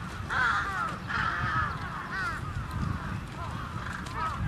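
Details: Loud, harsh, drawn-out caws from trapped crows, the first few long and grating, then shorter arched calls, set against a low rumbling background.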